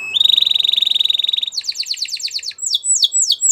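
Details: Canary producing a long, rapidly pulsed whistled trill that rises slightly in pitch, followed by quick repeated chips and a few louder descending sweeps, over faint low background noise.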